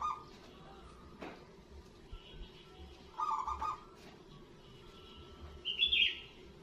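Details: Loud-voiced local zebra dove, used to prompt other zebra doves to call, gives a short stuttering, rolling coo phrase near the start and again about three seconds later; a brief higher note from another bird follows near the end over low background hiss.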